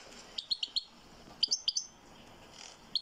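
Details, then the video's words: Goldfinch song heard as a run of short, sharp tinkling chirps, a group of four then a quicker cluster of five, followed by one last clear note after a gap. "Goldfinch singing like a boss"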